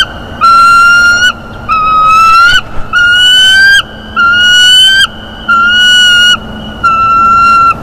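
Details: Bald eagle eaglet at a Florida nest squeals, delighted, while its father delivers a mammal, morning of 13 February 2021: six long, steady, piercing whistled squeals, each about a second, ending with a slight upward slide.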